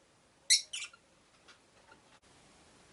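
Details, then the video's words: Pet Rosy-faced lovebird in a cage by a window, one of five birds, making two short, scratchy high chirps in quick succession, with a faint noisy room background and a weaker note afterward. "Lovebird Chirping Sounds"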